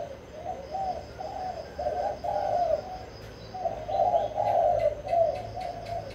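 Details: Spotted dove, Vĩnh Long, giving its kích bổi song meant to rouse wild birds: two bursts of throaty cooing separated by a brief lull, with faint clicking near the end.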